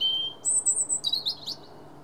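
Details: Robin song recorded 9 March 2017: a thin high whistle, then a very high sustained note sliding into rapid, tumbling descending twitters.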